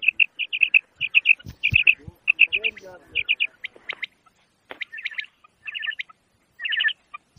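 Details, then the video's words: Series of crisp, high quail notes bunched in threes and fours, repeated at a brisk pace before thinning out into scattered chirps. "Bater Ki Awaz ! Bater"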